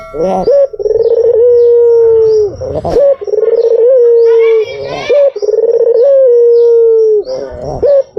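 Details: Repeated cooing of a white dove used for luring. Bubbling trills lead into long level coos, about four phrases, with scattered high chirps of other birds and a sharp click.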